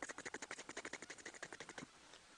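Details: Ticking from Egyptian geese beaks as they search through the water: a steady run of about twenty sharp, evenly spaced clicks, roughly ten per second, stopping abruptly after nearly two seconds.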